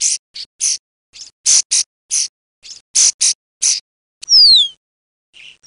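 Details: Common starling lure recording for trapping: a quick, uneven series of harsh, hissing rasps, then one sharp whistle sliding steeply downward.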